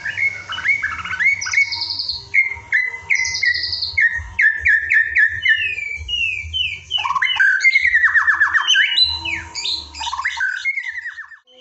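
White-rumped shama singing a rich, varied run of fluty whistles, slurred notes and fast rattling trills, phrases changing every second or so, with a low hum underneath.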